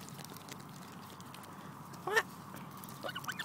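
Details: A hungry Canada goose lets out one loud rising honk, then softer broken calls follow, set against a constant low hum.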